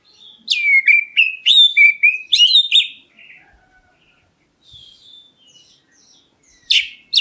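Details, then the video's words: Black-breasted Oriental magpie-robin calling to draw a reply from other birds: a rapid string of about seven loud, clear whistled notes, each with a sharp downward slur, then faint quiet notes before a sudden loud note at the end. "KACER DADA HITAM MEMANGGIL, BURUNGMU LANGSUNG NYAUT!"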